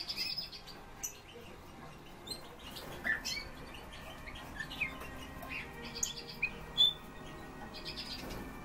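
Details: Eurasian bullfinches giving short, soft, clear notes near mid pitch, spaced irregularly a second or more apart, with faint high chirps from other small birds and a steady low background hum.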